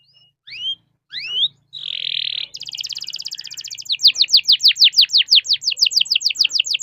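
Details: Canary singing a long rolling song meant to prompt other canaries to sing: a few rising whistled notes, a buzzy trill, then a fast run of repeated upslurred notes about five per second.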